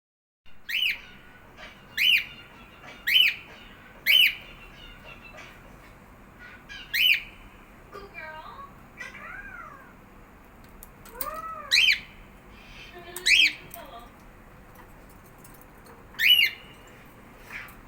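A cockatiel gives sharp, shrill chirps about once a second, mixed with softer warbling, talk-like phrases.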